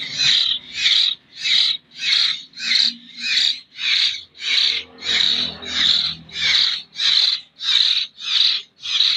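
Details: Very regular harsh, hissing begging calls come from a local hill myna chick in Jember that is still hand-fed, about fourteen bursts spaced evenly around every two-thirds of a second. A faint hum is heard in the background.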